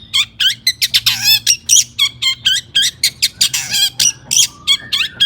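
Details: Agitated long-tailed shrike song, used as a lure to get other shrikes singing: a fast string of short, sharp, buzzy high bursts, nearly four per second, with a few lower sliding whistles.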